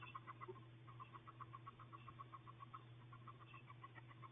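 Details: Hatching wood duck eggs inside a nest box after 32 days of incubation: a steady stream of faint, short, high peeps, several per second, over a constant low hum.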